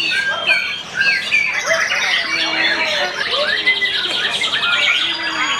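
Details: White-rumped shama (murai) singing: clear whistled notes and varied slurred phrases, some rising and falling, over a busy backdrop of overlapping chirps and chatter from other birds.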